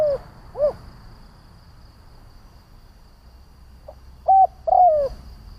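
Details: Spotted dove decoy cooing to provoke other doves: the end of one phrase with a falling coo and arched note, a pause of several seconds, then a short note followed by a long descending coo.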